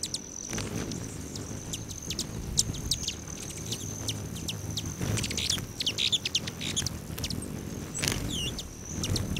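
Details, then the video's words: Hummingbirds at hanging feeders by a lodge near Great Sand Dunes National Park, Colorado, July morning; a sustained thin high whine runs throughout, broken by quick clusters of sharp chittering chips, with a low outdoor rumble beneath. "Ten minutes of Hummingbirds"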